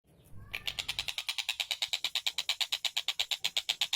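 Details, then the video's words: Kingfisher in vigorous song: after a low rumble, a fast, steady series of sharp, clipped notes, roughly seven or eight each second, continuing evenly to the end. "burung Tengkek Buto gacor"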